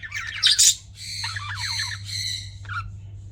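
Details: Budgies give a loud harsh squawk, then buzzy warbled chattering with stacked harmonics and a short final chirp, over a constant low hum.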